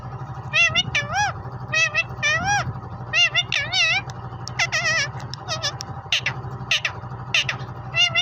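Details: Green ring-necked parrot, a pet, speaking in Urdu/Hindi and saying "Mian Mithoo": a run of nasal, wavering talking syllables in short phrases over a steady low humming background noise.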